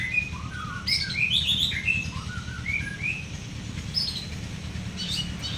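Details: Champion long-tailed shrikes from Madura and Bojonegoro set next to each other give a lively run of sharp chirps and brief up-and-down whistled notes, densely packed for several seconds over a low background drone.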